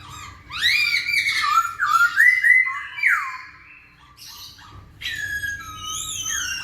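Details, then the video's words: Loud masked laughingthrush song aimed at getting lazy birds to sing, with rising and falling whistled phrases, a brief pause, then a fresh burst of bright warbling whistles. "KICAU BURUNG POKSAY HONGKONG GACOR"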